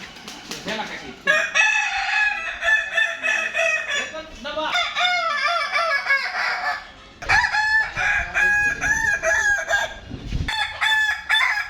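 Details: Kukuak Balenggek roosters crowing at a Padang contest on 8 October 2023, multi-note stepped crows with rapid pulsing syllables in long bouts, overlapping birds, brief short notes and faint voices between phrases.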